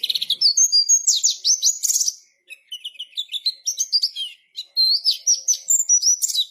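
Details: White-eye delivering vigorous ngalas-style song, rapid high slurred notes and twitters in long runs broken by brief pauses, with clean, quiet surroundings.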